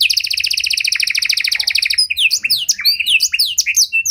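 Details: Panda canary song for attracting and training other canaries, starting with a long, even double-toned trill, then switching to jumbled sharp whistled sweeps and chips.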